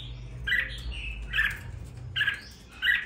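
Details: Red-whiskered bulbul kept in a cage after two weeks of care, singing with a hint of fire; softer, burry chirping phrases in four short bursts over a faint low hum.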